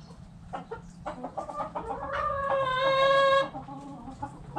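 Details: Backyard chickens clucking with a drawn-out harmonic call rising in the middle, amid a busy background of clucks and low noise.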